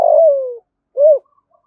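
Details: Spotted dove in the thúc gù calling style, used as a lure to provoke wild birds: a long, smoothly falling crooo followed after a short gap by one arched, mellow coo.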